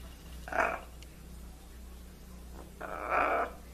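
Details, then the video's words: Pet blue-and-gold macaw that greets and acts, giving two raspy voiced utterances, a short one followed two seconds later by a longer, louder one, over a low hum. "Funny macaw says "whats up" "hello" !!! and even act like crying"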